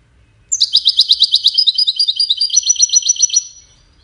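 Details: A goldfinch sings a melodious phrase tied to courtship and communication: about three seconds of rapid, evenly repeated high twitters, bright and ringing, forming a continuous cascading trill in a quiet setting.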